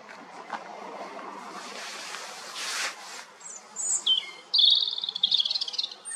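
A European robin sings a quick, thin, high phrase of sliding and wavering notes, following a few seconds of rushing wind or rustling.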